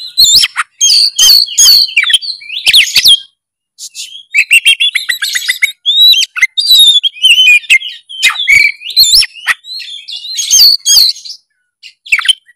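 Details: Long, richly varied gacor full narung song of an oriental magpie-robin, played to make lazy birds sing. Dense bursts of sharp whistles, chatters and slurred notes follow one another, with brief silences between phrases.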